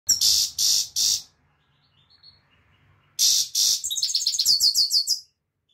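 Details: European goldfinch singing: three loud harsh rasping bursts, a pause, then more rasps running into a fast twittering series of high, bouncing tinkling notes.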